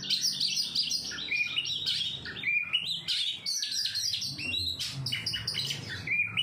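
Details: Oriental magpie-robin (kacer) in ngobra display, singing a dense, continuous run of varied high chirps, trills and short whistled notes that jump and slide in quick succession without pause.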